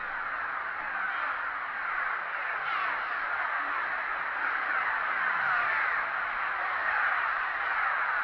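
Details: Steady chorus from a busy cliff swallow nesting colony under a bridge at Big Stone NWR, disturbed by a GoPro held near the nests; rapid, overlapping chirps run continuously, swelling slightly in the second half.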